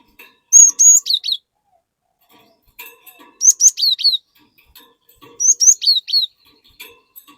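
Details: Cinereous tit (glatik batu) in lively 'gacor ngeplong' singing meant to prompt other glatik to join in: three bright phrases of high whistles, slurred up then down, repeated about every two and a half seconds, with soft chips between.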